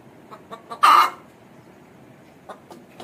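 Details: Calling Aseel hen gives a single loud, harsh, broad squawk of about a third of a second, set among soft short clucks before and after.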